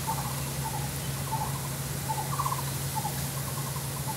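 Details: A female Lesser Coucal, identified by white spots on its neck, seen from a window on 26 June 2023, gives soft, hollow hooting notes in short bursts, about one each second, under a steady low hum.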